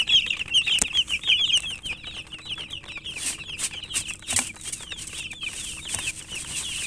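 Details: Chicks of domestic chicken giving rapid, shrill downward cheeps, loudest at the start and then softer, with several sharp clicks and taps scattered through.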